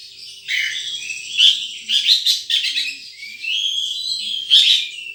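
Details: High, sweet twitters and sliding chirps from a wild sunbird in a lively, uneven sequence, with a few louder sharp notes standing out.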